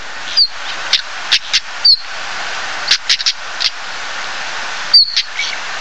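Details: A stonechat (Saxicola torquatus) gives hard, clicking tsak notes in short bursts, mixed with three thin, high, falling whistles, over a steady background hiss.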